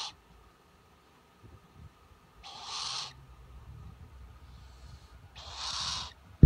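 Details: Spix's screech owl kept as a pet indoors, clinging near a computer and following the cursor; two harsh, airy rasps about three seconds apart over a quiet room, ending with a sharp knock.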